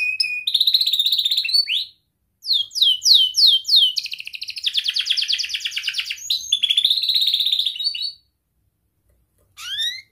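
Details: Young canary giving dense rolled song meant to teach young canaries: long pulsing trills and sweeping chirp series in bursts, separated by short silences, ending with a lone rising chirp.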